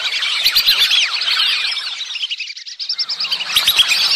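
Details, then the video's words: Whistling ducks in mating season giving a mating call: a dense, continuous chorus of overlapping high whistled notes that thins briefly mid-way before swelling again. "Matting sound, Whistling duck/ Baliwis/Batiki"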